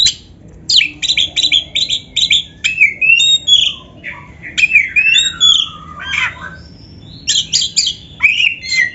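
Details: Training song of a white-rumped shama: rapid series of short rasping chips, interleaved with sweet slurred whistles and a falling whistled glide, the chips returning in quick runs toward the end.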